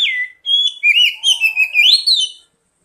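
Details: Oriental magpie-robin (kacer) song used as a lure to prompt untrained birds to sing: a descending whistle, then a run of clear rising and falling warbled notes in quick succession, with a quiet background.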